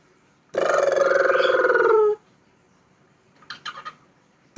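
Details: Pet parrot talking: a single drawn-out, voice-like harmonic utterance lasting about a second and a half, gently falling at the end, followed by a few short soft clicks and chatter.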